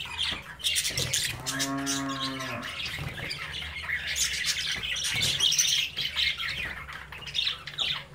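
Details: Budgerigar chicks at play in their cage, parents watching; steady high twittering and squawking throughout, interrupted briefly by a lower, drawn-out harmonic tone near the start.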